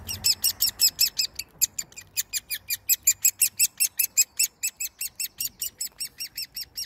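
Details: Hand-reared great spotted woodpecker chick, orphaned after its parents vanished, begging at feeding time on 30 May 2020; a steady run of harsh, high-pitched chik notes, roughly four to five each second, with slight low rumbling early on.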